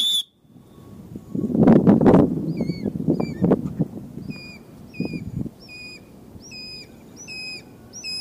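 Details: Light-morph changeable hawk-eagle trying to hunt a goliath heron: loud low rustling and thumping early on, then a series of short, high, paired whistled notes repeated about twice a second.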